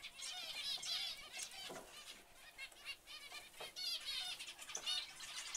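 Zebra finch chicks give a dense chorus of high, raspy, rapidly repeated calls.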